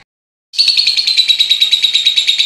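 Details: Pied lovebird giving its long ngekek chatter, said to last almost one minute. A loud, shrill, very high trill starts abruptly and pulses rapidly and evenly at about seven beats per second without pause.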